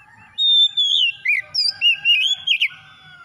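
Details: Oriental magpie-robin (kacer) lure song, meant to get a reluctant bird singing: a long clear whistle falling slightly, then a quick run of varied rising and dipping whistled notes, a faint low hum beneath.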